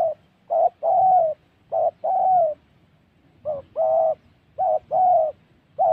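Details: Spotted dove call used for trapping, recorded in Gia Lai in Vietnam's Central Highlands forest: low, soft cooing phrases of a brief note followed by a longer, sustained coo, repeated steadily over faint background rustle.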